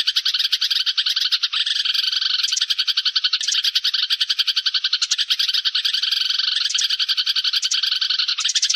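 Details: Flock call of sparrows, prepared as a trapping lure: continuous busy chirping with brief louder bursts and small breaks in the rhythm, and no background noise.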